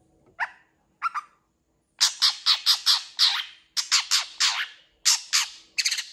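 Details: Long-tailed shrike pouring out a lively, fill-rich song: two short nasal calls, then loud grating, rasping notes repeated in quick series of four to five, broken by brief pauses.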